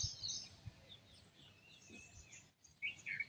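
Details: Morning birdsong at sunrise with several high chirps and thin whistled notes spread throughout, a bright cluster of twittering at the start and again near the end, over a soft low rumble.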